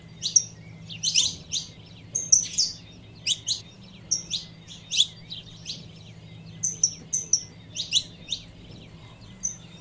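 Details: Female saffron finch calling to stir up the male: a busy run of short, sharp high chirps mixed with thin whistled notes, about two calls each second, over a steady low hum.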